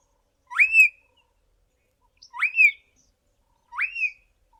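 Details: Juvenile Southern Boubou practising its song while learning to sing like its parents: three clear whistled notes, each sliding upward then levelling off, repeated about every one and a half seconds, in otherwise quiet surroundings.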